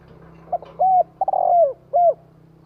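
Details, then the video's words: Lure spotted dove cooing one full phrase: brief opening note, smooth coo, a rapid stutter running into a long descending coo, and a closing short coo, with a steady low hum underneath. "Chim cu gáy hay kích bổi nhanh nổi"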